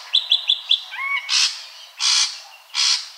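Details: Ashy drongo (Dicrurus leucophaeus) gives four quick high chirps, then a clear whistled two-note phrase, followed by three broad harsh rasping bursts at about half-second gaps.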